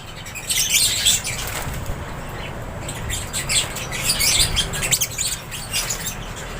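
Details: In an aviary, lovebirds chirp in shrill overlapping bursts while wings flap audibly, the chatter swelling near the start and again toward the middle.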